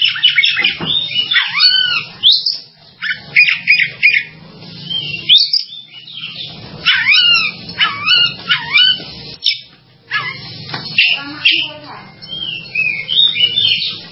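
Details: Oriental magpie-robin giving a varied sequence of slurred, swooping whistles and chirps in short bursts, with some harsher notes and a soft low hum.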